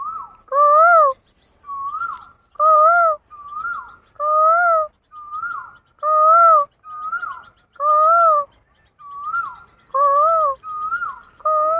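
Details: Asian koel provoked into calling: a quick back-and-forth of loud, rounded, rising-falling hoots and thinner upward whistles, repeated roughly every second over about twelve seconds.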